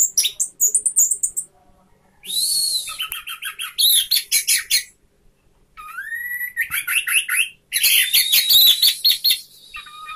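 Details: An orange-headed thrush, tail fanned open, sings loud, varied phrases of high whistles, rapid trills and buzzy chatter, switching style every second or two with brief pauses.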